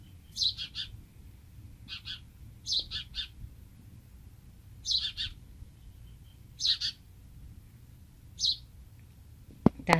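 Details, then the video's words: Baby house sparrow returned to an old nest in a palm tree so its mother can find it; loud, high, scratchy chirps in bursts of two or three, repeated every one to two seconds over quiet background. "HOUSE SPARROW BABY MEET HIS MOM!"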